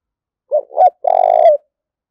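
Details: Fight-provoking coo of a spotted dove. It is a single three-part phrase: a short coo, a slightly rising second note, then a long, purring, trilled coo. No other sounds are heard.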